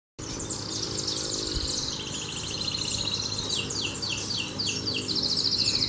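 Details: Canary singing a lot: a continuous high, rapid song of trills, buzzy rolls and quick sweeping notes, shifting between sustained rattling phrases and downward-slurred chirps, over a steady low mechanical hum.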